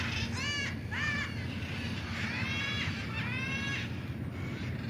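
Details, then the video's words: Macaws at a hillside forest neighbourhood in Puerto Rico giving loud, harsh, raspy squawks, four or five drawn-out calls across a few seconds over steady low background rumble. "Guacamayos de la Colina"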